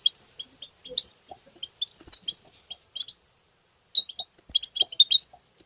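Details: Goldfinch (European) giving lively 'tabta' twittering, used to stimulate goldfinches: short high chirps, then a pause and a rapid burst of tinkling notes, with faint lower sounds in the background.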